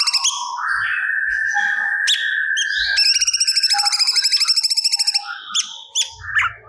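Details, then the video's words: Cucak cungkok singing stored song material: a long, lower sustained whistle, then a rapid ringing trill of repeated high notes, finishing with scattered sharp chirps. "Burung Cucak Cungkok Gacor Muntahkan Materi Yang Di Simpan"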